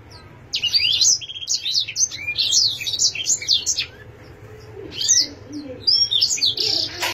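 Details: Canary singing bursts of rapid, high twittering and slurred whistles, a short lull midway, then more sharp chirps and a final buzzy trill, over a low constant hum.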